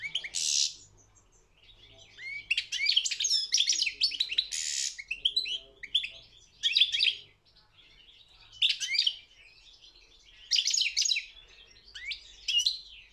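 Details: Song of a European goldfinch entered in a world championship for goldfinch song: repeated bouts of energetic high twittering and trills mixed with harsh buzzy notes, separated by short pauses.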